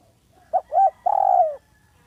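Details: Single lure-call phrase from a spotted dove, smooth and clear: two quick low coo notes, then a longer sustained coo that sags in pitch toward its end, with a quiet steady hum underneath.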